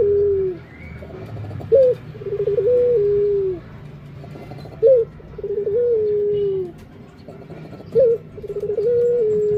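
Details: Barbary dove cooing: three phrases about three seconds apart, each a short sharp rising note followed by a rolling, slightly wavering coo that slides gently downward, over a low steady background hum.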